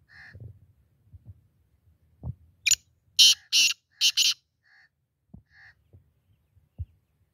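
A black francolin gives a loud, harsh, grating phrase: a short rasping note, then three or four longer scratchy notes in quick succession. Faint whistled notes and soft knocks come before and after.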